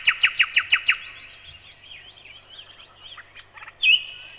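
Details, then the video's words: Nightingale begins with six loud, evenly spaced sharp notes, then soft warbling twitters, closing on a brief bright phrase. "Незабываемое Пение соловья"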